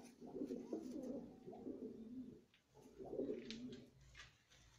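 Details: Australian pigeon cooing indoors: soft, low, rolling coos in three bursts of about a second each with short pauses between, over a quiet room background.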